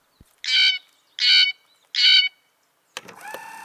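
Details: Blue jay giving three harsh, nasal 'jay' calls, each about a third of a second and evenly spaced, before another sound cuts in at the end.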